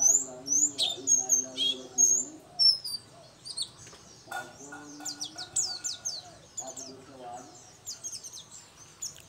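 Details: Oriental white-eye, local dakun variety, singing: high slurred whistles and quick twittering trills, with lower warbled notes from other birds and faint background noise.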